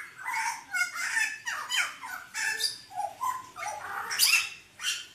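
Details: Hooded butcherbird of the mottled 'blorok' type, singing actively: a run of short clear whistled notes with rich overtones, some sliding down, others rough and nasal, mixed with brief harsh bursts, sounding in a small indoor space.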